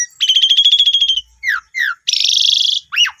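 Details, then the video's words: Asian pied starling lure song for a new bird that has stopped singing: a long pulsing buzzy trill, two short falling whistles, another extended harsh rattle and a closing rising-falling whistle. "Jalak Suren Baru Beli Macet Langsung Nyaut Gacor Boangkar Full Isian"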